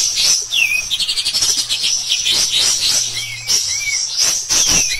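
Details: Kapas tembak, or pied triller, delivering vigorous rough bursting song meant as a master recording for other songbirds; quick high trilled notes pour out continuously, broken by short rising-then-falling whistled slurs repeated several times.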